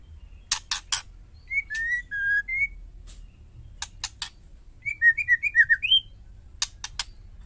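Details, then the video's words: White-rumped shama female calling to stir males into responding: clusters of sharp dry clicks alternate with two whistled phrases, first four smooth notes, later about seven quick slurred notes, with clicks again at the end. "panggilan murai betina hot jamin jantan bisu langsung nyaut..white rhumped shama"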